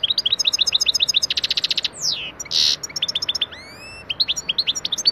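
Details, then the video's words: Pet goldfinch lesson song: fast runs of sharp high chirps, a descending slur, a short buzzy burst, then rising whistled notes and more twittering. "EFSANE SAKA KUŞU ÖTÜŞÜ iLE MEST EDİYOR - صوت الحسون الصغير"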